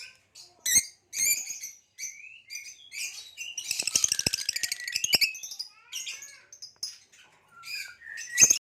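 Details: Hybrid male Nyasa lovebird singing: varied short squeaky chirps and slurred notes, building to a dense, rapid, grating trill in the middle, then scattered chirps again and a loud final squeak.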